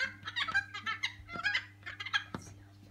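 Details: A colony of noisy friarbirds visiting a heavily flowering tree beside a house: harsh, raucous, cackling calls overlapping in quick succession over a steady low hum.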